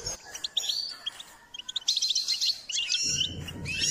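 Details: Goldfinch singing as part of training advice: scattered chips building into a rich, rapid twittering warble of bright high notes, with a low rumbling hum joining near the end.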